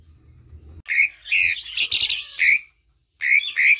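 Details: Asian pied starling song for provoking silent birds to sing. Loud, rasping, nasal bursts follow one another quickly, then a short silence and two more harsh, whistled notes.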